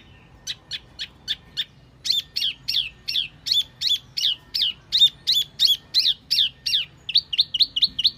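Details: Lure call of the Wambi mini, a steady run of high, sharp chirps repeated about three per second, each note slurring downward, ending in quicker clipped notes.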